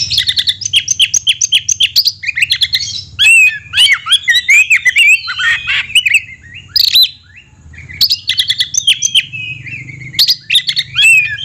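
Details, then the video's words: Oriental magpie-robin (kacer), 'isian mewah' song. Rapid chattering bursts of high notes give way to warbling, squawky slurred phrases and a harsh buzzy note, then more quick chirp runs, over a low steady hum. "kacer isian mewah"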